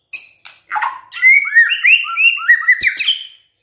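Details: White-rumped shama in full song: a few rough chattering notes, then a rolling series of melodious, swooping whistles, closed by a sharp click and a high falling note.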